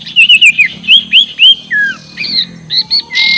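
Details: Sirtu calling in ngekek style to provoke rivals: a fast series of looping, squeaky notes, a falling whistle, then short clipped chirps and a harsh final note.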